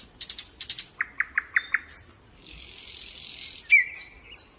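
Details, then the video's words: Bird chirping: quick pairs of high, sharp notes, then a run of five evenly spaced lower chirps about every fifth of a second. A brief hissy burst follows, then a few final whistled and chirped notes. "Birds chirping"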